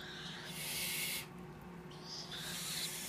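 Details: Young captive tropical screech owls, three chicks hatched in early March 2014, give a drawn-out rasping hiss followed after a pause by another, softer one.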